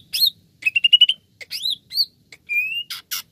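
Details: Greater green leafbird giving a lure song to get other birds singing: a swooping whistle, a fast rising trill, arched slurred notes, a long rising whistle and two harsh buzzy bursts in quick succession.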